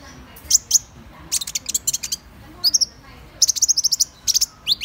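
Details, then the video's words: Van Hasselt's sunbird in a lively run of very high notes: sharp chips grouped into quick stuttering clusters with brief pauses between them, and several fast sweeping notes toward the end. "Tiếng chim HÚT MẬT 7 MÀU chuẩn ✅Van Hasselt's Sunbird(Leptocoma Brasiliana)"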